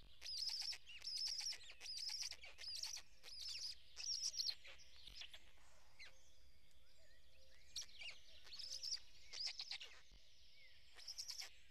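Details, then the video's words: Nestling black storks in Estonia's Karula National Park as the adult feeds them on a May morning; bursts of high squeaky chirps repeated roughly once per second, with a quieter pause midway before calling resumes. "The fourth chick has hatched"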